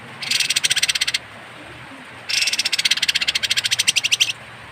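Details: Kapas tembak bird giving an odd, harsh call, used as tutor material for songbirds: two rasping, rapidly pulsed buzzy bursts, the first about one second and the second about two seconds, over faint background hiss.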